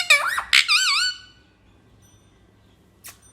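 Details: Talking parrot giving a brief burst of high, wavering, harmonic speech-like syllables, then quiet room tone with a single faint click near the end.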